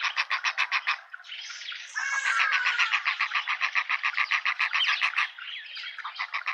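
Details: Juvenile hornbill with its parents in a suburban garden in Pretoria, South Africa: a rapid series of harsh, evenly spaced notes, roughly four per second, with a louder squealing, wavering call overlapping the run midway.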